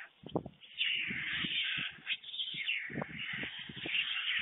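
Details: At a nest webcam in Fohrde, Germany, at 1:45 p.m. on 21 July 2019, as the adult male brings two young a late lunch, white storks give a steady, harsh, hissing rasp that swells and fades, over irregular low knocks and thumps.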